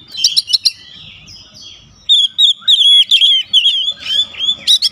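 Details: Oriental magpie-robin at home, song meant to trigger responses from other birds; opens with a few sharp chirps, then after a pause a fast, fluttering string of high whistled notes.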